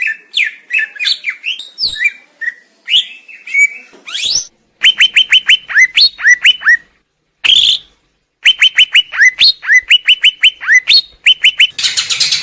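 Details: Greater green leafbird song: long bursts of loud, sharp downslurred whistles repeated rapidly in regular series, separated by abrupt silent breaks, with mixed varied chirps early on and a harsh noisy ending.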